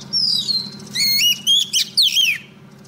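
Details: Oriental magpie-robin female singing to a male, recorded for use as a decoy. A long thin descending whistle, then a run of clear stepped whistles and a falling slur over low hum.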